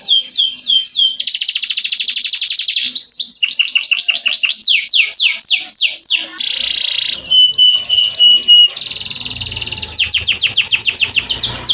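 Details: Canary master song for training: a varied sequence of fast rolling trills, repeated sweeping whistled notes, a steady pure whistled tone and buzzy rattles, loud and continuous throughout.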